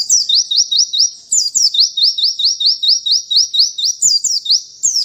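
A white-eye sings a fast, high, ringing run of upslurred notes, nearly three each second, with no other sounds.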